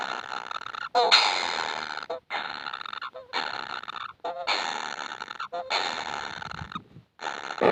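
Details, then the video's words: Baby kingfishers begging for food, never satisfied: harsh, buzzy rasping bursts about a second long, repeated with short silent gaps between them. "BABY BIRD KINGFISHER ‼️ YANG TAK PERNAH KENYANG ATAS MAKANAN"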